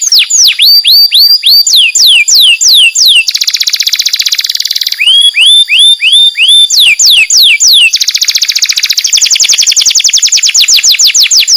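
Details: Master canary, described as calling friends and fighting, alternating bursts of sharp falling whistled notes with long dense buzzy rolls, over about eleven seconds of continuous bright song.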